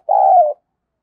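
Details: Single long, mellow coo from a spotted dove used as a decoy to lure wild doves, holding steady before easing slightly lower, with silence after.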